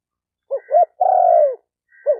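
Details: One spotted dove phrase: two short rounded hoots, then a sustained mellow coo that falls gently, with the next phrase beginning at the end.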